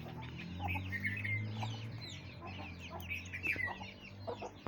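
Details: Aseel chicks cheeping in a busy overlapping chorus of high slurred peeps, over a steady low mechanical hum running through the recording.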